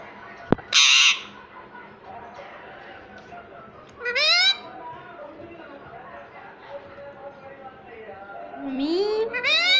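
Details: Pet talking ringneck parrot, a rose-ringed parakeet, indoors: loud arching harmonic voiced utterances around 1 second and 4 seconds and a rising, wavering one near 9 seconds, with a sharp click, a brief hiss and people talking quietly.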